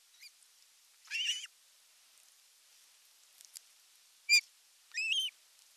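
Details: Osprey, Satakunta region of Western Finland, 19 July 2022, male arriving at the nest carrying a big fish: scattered high, slurred whistled calls, three clear ones spaced unevenly over a few seconds with quiet between.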